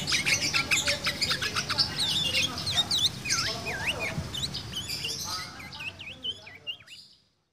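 A sooty-headed bulbul sings a fast, varied song copying a magpie-robin, with swooping whistles and chatter.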